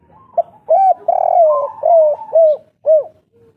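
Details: Spotted dove, a local wild bird described as an old forest dweller, giving a run of mellow hooted coos, the first notes blending into a longer phrase then separate rounded coos about every half second, clean background.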